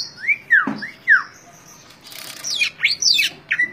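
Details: Caged greater green leafbird, a beginner bird, singing: clear whistled upslurred and downslurred notes, then a burst of noisy rustle and quick sweeping whistles.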